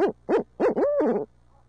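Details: Close barred owl in urban midtown Tulsa: three short, punchy hoots followed by a longer arching, wavering call that rises and falls before cutting off.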